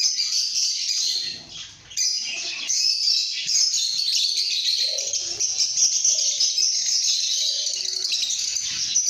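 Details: Shrill, buzzy chirping from lovebirds keeps up steadily. It drops briefly near two seconds, then resumes as an unbroken chorus of high twittering notes, with a few soft lower chirps mixed in.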